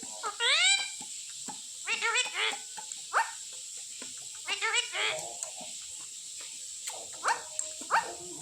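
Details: Pet Indian ringneck parakeet, trained by daily repetition, talking indoors and saying "Papa Papa" and its name. Several loud, nasal, harmonic phrases rise and fall in short bursts, with a steady high-pitched whine behind them.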